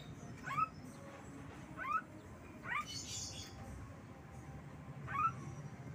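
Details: Pet Black-winged myna giving four short upslurred whistles, each rising sharply, repeated roughly every one and a half seconds over a steady low background hum.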